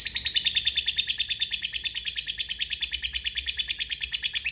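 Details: A lovebird's extended ngekek, a lure meant to get lovebirds to respond quickly, pours out as an unbroken run of sharp, rasping notes that grow slightly softer and more even toward the end.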